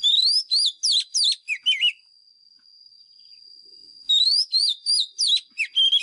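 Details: White-rumped shama decoy bird performing fighting song to train caged birds' singing: two phrases of bright swooping whistles and warbled notes about two seconds apart, with a continuous faint high-pitched tone between them.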